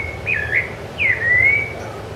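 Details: Rufous-bellied thrush (sabiá-laranjeira) on Ilha do Governador, January 2013, giving two short song phrases. A quick wavering whistle is followed by a longer one that dips and then glides slowly upward. Soft background hum throughout.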